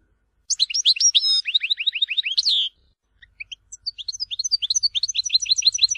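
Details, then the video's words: European goldfinch singing an Algerian song style from Tizi Ouzou: a fast sequence of high rising-and-falling whistled notes, then after a short pause a steady rhythmic series of repeated bright chips. "تغريد حسون تيزي وزو (كامل المقامات)"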